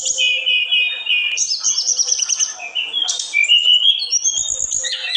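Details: Olive-backed tailorbird in full, nonstop song: long high whistled strands, rising and falling slurs and rapid trilled bursts overlapping one another throughout.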